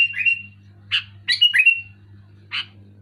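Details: Sooty-headed bulbul in loud, clear song: a whistled slurred note, then a cluster of rapid bubbly notes ending in a drawn-out whistle, with a final harsh chip and a constant low hum behind.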